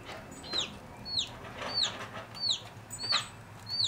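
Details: Chicks chirping from inside their eggs before hatching: clear, high, downward-sliding peeps repeated roughly every half to three-quarters of a second, with a faint background hiss.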